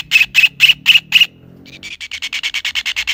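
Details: A kingfisher gives five loud, rasping notes at a steady pace. After a pause of about half a second, a faster string of lighter, clipped notes follows. A faint low hum lies underneath.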